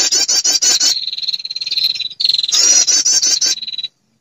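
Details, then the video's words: Lure sound of a female prinia calling to males: a fast run of sharp, high, rattling notes gives way to a long, thin, level buzz, then the rapid rattle returns and ends in another buzz. "SUARA PIKAT PERENJAK BETINA memanggil jantan"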